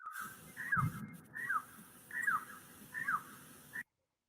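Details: Long-tailed Wood-Partridge, a bird endemic to the area and said to be in a risk category, in a mixed-sound recording: four clear downslurred whistled phrases spaced about 0.7 seconds apart over a low rumbling background.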